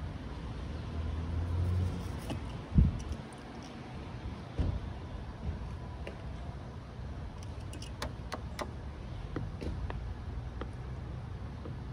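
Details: Low rumbling vehicle and car noise with a door thud and scattered clicks and jangles, with no animal calls heard.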